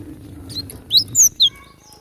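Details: Java sparrow in the wild, fighting, on a tutor recording of natural sound: three sharp, high chirps in quick succession, slurred upward, over a low background hum.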